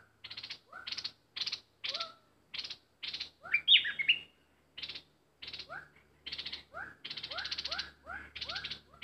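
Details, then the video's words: Bulbul kept as a decoy bird, excited while wild birds fail to come down: dry buzzy chattering bursts repeated about every half second, with short upslurred whistled notes between, and a louder squeaky warble near the middle. "Burung merbah lekir bay hoach thom gacor bahanan"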